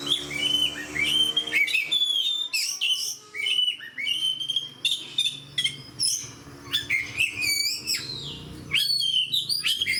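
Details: Oriental magpie-robin singing in a loud fighting style: varied whistled notes, upward slurs and harsh chattered bursts, delivered in dense phrases separated by short pauses.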